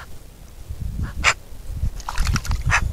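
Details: Eurasian magpie giving harsh, rasping, noisy calls: two loud bursts about one and a half seconds apart, with softer chattering notes between them, over steady low rumbling wind or handling noise.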